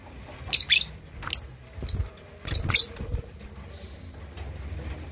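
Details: Young lovebird, two and a half months old, learning ngekek chatter to provoke rivals: a rapid run of shrill chirps early on, then softer chirps mixed with dull low knocks and thumps.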